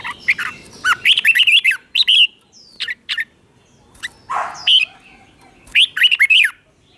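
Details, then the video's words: Caged red-whiskered bulbul doubled song, sung slowly and clearly for teaching chicks to copy. Bursts of warbling, slurred whistles come in separate phrases with short gaps. One lower rushing note sounds in between. "นกกรงหัวจุกเบิ้ล 1000000% สอนลูกนก ก็อปติดง่าย"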